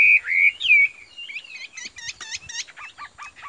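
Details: Caged Chinese hwamei from Vietnam singing: loud, clear slurred whistles open the phrase, then a run of rapid rising and falling notes that fade into quieter, scratchy twitters.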